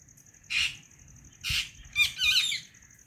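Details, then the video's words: White ringneck parrot squawking: three loud, harsh, high-pitched screeches, the last a doubled rasping burst, separated by short pauses, with a faint steady high whine behind. "White Ringneck Parrot Chirping"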